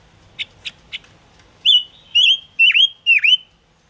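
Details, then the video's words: Gouldian finch song used as a trapping lure: three soft dry ticks, then four loud whistled notes, each sliding and dipping in a V-shaped slur, about two per second, over a quiet background. "Tiếng ngũ sắc hót chuẩn 2022"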